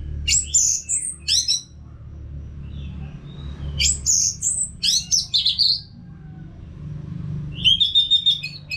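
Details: Caged-bird training sound of an orange-headed thrush singing: high rich warbled phrases separated by short gaps, some soft faint notes between, ending with a rapid trilled run over a constant low hum.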